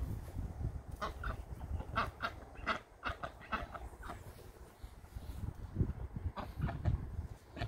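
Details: Pet Pekin ducks at home, excited while being fed snacks such as garden tomatoes, giving a rapid series of short nasal quacks in bursts, with low thumps and rustling in the background.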